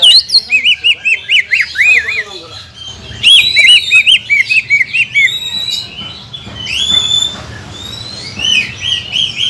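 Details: Varied lure song of a greater green leafbird for training contest birds: bouncy looping whistles repeated in quick sequence, sharp high upslurs and a wavering whistled phrase near the end.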